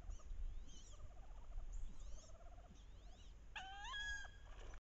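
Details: Wood duck hen courting drakes on a bayou in the last weeks of October, during the mating ritual: several soft squeaky notes and faint rapid trills, then one loud, abrupt, harmonic squeal near the end.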